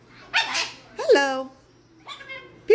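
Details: One of two pet macaws indoors gives harsh, dog-like barks, loud rasping bursts with a sharp rise and fall, between snatches of human chatter and talk of "pretty bird" and "peekaboo".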